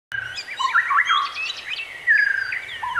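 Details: Wild bird singing outdoors: varied whistled phrases sliding up and down, with a long clear whistle near the end and scattered chirps from other birds.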